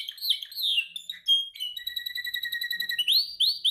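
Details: Training session of a singing canary: looping whistled phrases, a bright high note, then a long fine rattling trill giving way to rising swept whistles.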